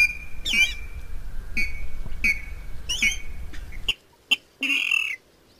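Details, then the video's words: Water rail used to lure birds: a few harsh, nasal squawking notes with buzzy overtones, spaced about a second apart, then a louder drawn-out squeal after the low background hum cuts off. "Tiếng gà nước ấn độ ăn chim nhất"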